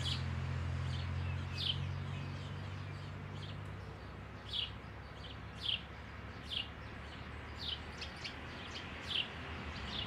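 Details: Eurasian tree sparrow, described as noisy and clever, calling at the roomy hole where it nests, recorded 12 May; sharp high chirps in loose bursts, low vehicle hum early, fading later.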